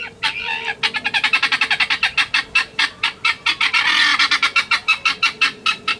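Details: A guineafowl on a farm in Hérault, France, gives a harsh, rattling series of rapid, evenly spaced grating notes, about five each second, a call used in vigilance and disturbance to alert the group.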